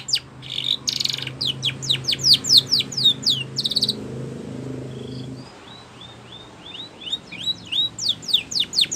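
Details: A Spanish Timbrado canary song used for training other canaries: rapid metallic rolls and quick falling trills, then a series of short sliding whistles, with a low hum underneath at first.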